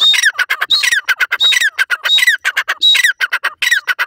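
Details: Grey francolin calling while caged: loud grating phrases repeated about every 0.7 seconds, each starting with a high whistled note and followed by a quick volley of rasping notes.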